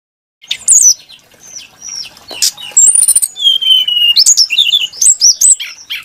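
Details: Brown-chested jungle flycatcher, also called SRDC, known for a varied, melodious voice, singing a rich run of clear whistled phrases: high slurred notes, a long steady whistle near the middle, then quick rising and falling trills.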